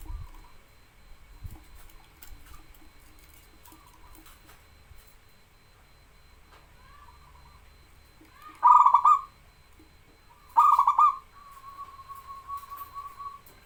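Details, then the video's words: Local zebra dove singing energetically, recorded as a master and lure to stimulate lazy birds. After a quiet stretch, two rolling cooing phrases come two seconds apart, the second followed by a long, soft, steady tone. "BURUNG PERKUTUT LOKAL GACOR SUARA UNTUK MASTERAN DAN PANCINGAN"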